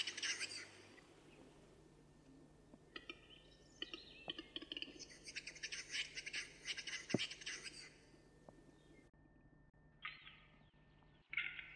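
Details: Eurasian capercaillie at a lek during courtship, filmed in the early 2000s: a run of rapid, scraping broadband bursts repeated several times a second for about six seconds, then silence and a few fainter scrapes near the end.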